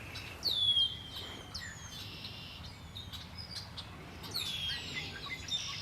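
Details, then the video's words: Birds by Lake Erie: clear, loud descending whistles that slide downward, then shorter trilled bursts and chirps, against quiet low rumble. "Birds singing by Lake Erie"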